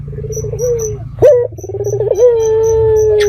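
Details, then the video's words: Red-eyed dove lure call meant to make other doves reply: a wavering coo, a short burbling roll, then one long, level, sustained coo that drifts slightly downward. Faint low hum and high ticking behind. "Pancingan Burung Puter Mata Merah Gacor"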